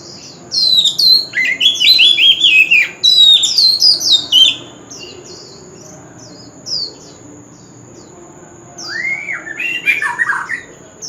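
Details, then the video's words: Male white-rumped shama in continuous contest-style singing with a wild forest voice: dense bursts of high whistled, slurred phrases and sharp chips, then a pause and renewed rising whistles near the end. "Chòe Than Trống Hót Liên Hồi – Âm Thanh Chuẩn Giọng Rừng - Chích Chòe Than Hót Đấu"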